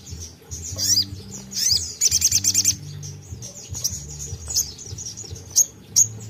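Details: Crimson sunbird 'tembakan' song, played to lure untrained sogon into singing: sweeping high notes, then a quick run of sharp repeated chips and sparse high peeps over a low humming background.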